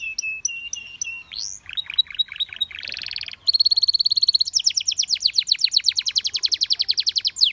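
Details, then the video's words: Singing Belgian canary whose voice prompts many canaries to join in: clipped notes, a run of slurred descending chips, a buzzy burst, then a long rapid trill of sliding pulses. "The sound of This Belgian Canary Attracted Many Canaries to Sing"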